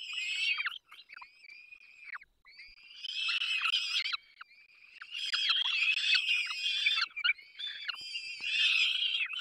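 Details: Peregrine falcon young during a family feeding, Barycz Valley, 3 May 2024: long hoarse whining screams, first in separate drawn calls, then swelling into a loud continuous overlapping chorus.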